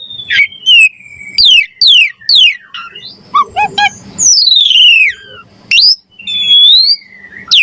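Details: A Javan pied starling sings rich varied fill phrases for songbird training: falling whistles, brief stuttering harsh notes, a long descending slur and rising squeaks, separated by short gaps.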